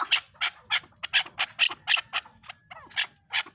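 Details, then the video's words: Chukar partridge uttering loud, harsh chuck notes spaced roughly every third of a second, with a brief squeaky twittering note midway; faint low room hum in the background. "Chakoor Bird Beautiful Sounds |چکور کی آواز"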